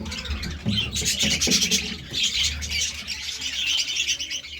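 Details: Budgerigars feeding on seeds and vegetables chatter in grating, warbled bursts over steady low background noise.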